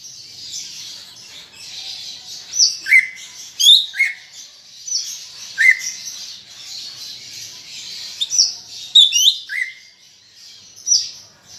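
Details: Greater green leafbird singing in varied bursts, played to prompt captive leafbirds to sing: sharp high notes each dropping into short slurred whistles, repeated irregularly, with soft high chattering throughout.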